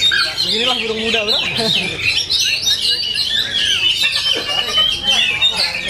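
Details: Oriental magpie-robin (kacer) in full-power singing: after a brief stretch of a man's voice, a continuous stream of rapid high whistles, trills and chattering phrases, fast and varied, dominates to the end.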